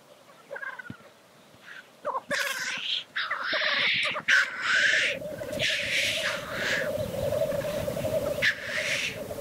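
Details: Black grouse lekking: a steady, rolling, dove-like bubbling drone runs for most of the recording, broken repeatedly by loud harsh hissing sneezes, several of them close together.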